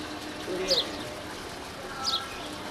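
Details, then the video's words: A female house sparrow (Passer domesticus) at Valparai gives two brief, high chirps about a second and a half apart, over a steady hiss of background noise. "Chirpping sound of a Female House Sparrow"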